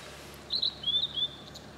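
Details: A distant Blue-and-white flycatcher in Tokushima Prefecture, Japan, sings a brief phrase of three or four clear, gently falling whistled notes over a quiet hiss; a Japanese white-eye is also heard.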